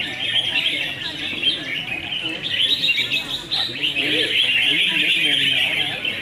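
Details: Several red-whiskered bulbuls in a singing contest sing at once, a dense, continuous chatter of bright, bubbly whistled phrases, with faint human voices underneath.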